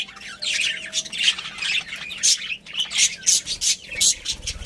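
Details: Budgerigar breeding pair chirping steadily, high squawky notes repeated about once a second amid continuous warbling chatter.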